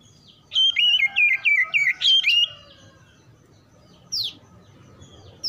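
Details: Oriental magpie-robin, described as quickly responding by joining in song: a quick series of about eight warbled, slurred whistle notes over roughly two seconds, then a lone high sweeping note after a pause, with a steady low background hum.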